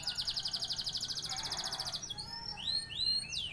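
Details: Canary from Indonesia singing a high, rapid, even trill for two seconds, then switching to scattered rising upslurred whistles, with a steady noisy background.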